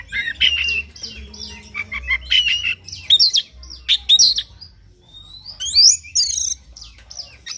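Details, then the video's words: Oriental magpie-robin singing in the morning to excite another bird into song: busy chattering phrases and sharp whistles, a brief pause, then loud high sweeping notes. "PANCINGAN KACER PAGI HARI AGAR NGOTOT NGEPLAY BONGKAR ISIAN"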